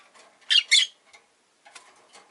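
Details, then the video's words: Two loud, harsh, squawky chirps in quick succession from a pet rosy-faced lovebird, followed by faint scratchy sounds in the background. "Lovebird Chirping Sounds"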